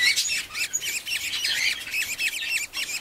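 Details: Young budgies give rapid, rasping chirps and squeaky upslurs in quick succession, a busy overlapping chatter of high-pitched nestling calls.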